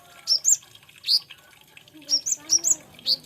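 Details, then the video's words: Olive-backed sunbird, locally known as konin, giving spaced clusters of piercing high chirps and short twittering notes, with faint lower tones audible beneath. "SUARANYA BURUNG KOLIBRI NINJA / KONIN INI.INDAH DAN PENUH ISIAN"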